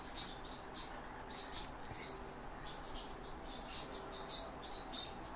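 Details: Song Thrush nestlings as their father brings food: high, thin squeaky calls repeated in quick uneven bursts, roughly one or two each second, over steady low background noise.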